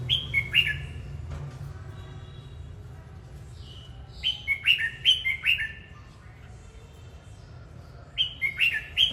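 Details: Red-whiskered bulbul singing and dancing, delivering three separate bursts of rich, slurred whistles. Each burst holds several quick swooping notes, with about four seconds between bursts over a constant low hum.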